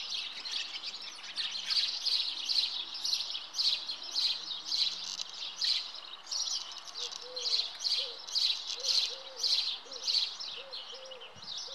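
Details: A common house martin (Delichon urbicum) at its nest gives high, dry chirruping twitters, about two bursts a second, with a faint low whistling sound in the background near the end.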